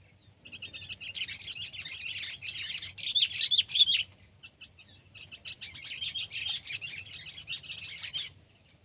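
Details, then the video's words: Sooty-headed bulbul (kutilang), pet or wild: continuous rapid twittering of short high chirps, strongest around the third to fourth second, then another long run of chatter before fading. "Burung Kutilang Peliharaan VS Burung Kutilang Liar!"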